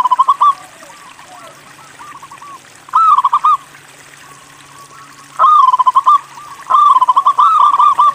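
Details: A local zebra dove, described as a vigorous singer, gives stuttering, rolling coo phrases: rapid trilled notes that end in a longer warbled coo. The bursts repeat several times with short pauses and a low background murmur.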